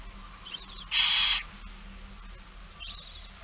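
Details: A single strong rasping hiss from a barn owl during a feeding in Friesland, Netherlands, on 8 September 2019, flanked by faint softer chirruping calls.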